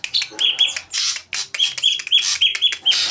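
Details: Greater green leafbird singing the voice of the saeran abu (ashy drongo): loud, dense, high-pitched song of harsh rasping bursts mixed with short clear whistled notes repeated several times a second.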